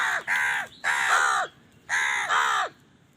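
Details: Crows squabbling over food: four loud, hoarse caws in two pairs, each note harsh and drawn out, with a short gap between the pairs.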